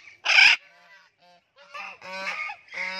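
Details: Pet talking blue-and-gold macaw playing in a garden: one loud, harsh, broadband squawk, then a pause and several nasal, harmonic, voice-like calls. No other sounds are clear.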